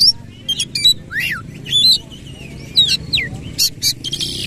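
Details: Oriental magpie-robin in full 'nembak ngerol' song with the tail opened: fast string of harsh buzzy notes, sweet up-slurred and down-slurred whistles and V-shaped notes, delivered in short uneven bursts about once a second.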